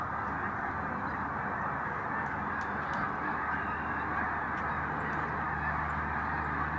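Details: Snow geese, a migrating flock of probably over 5000 birds heading north and resting in the Village Grande housing development; a dense, continuous roar of overlapping high honks and yelps with no pauses, plus faint sharp clicks.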